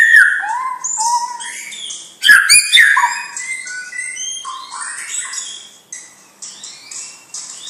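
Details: Young champion-line white-rumped shama sings softer, varied whistled phrases, with a loud burst of clicks and ringing notes midway, then gentle high warbling that fades and returns.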